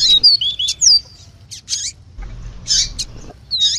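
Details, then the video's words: Double-collared seedeater in tui tui song alongside female calls meant to excite it. Quick high whistled slurs open the clip, then scattered buzzy bursts separated by short pauses, over a faint low hum. "PAPA CAPIM CANTANDO TUI TUI COM PIADO DE FÊMEA"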